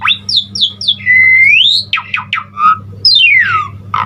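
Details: Energetic song of an Asian pied starling meant to prompt other starlings to sing: sharp falling whistles, a long sustained rising whistle, harsh squawky strokes and a long descending slur, over a constant low electrical hum.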